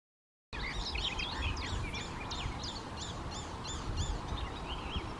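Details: Male icterine warbler singing a fast, continuous medley of varied chattering, squeaky and slurred whistled notes, highly changeable and rapidly repeated, over a steady low rumble of background noise.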